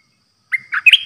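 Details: New decoy streak-eared bulbul kept in a cage, song recorded 6 May 2022: a short phrase of three bright notes, the last a rising, slurred whistle that trails off.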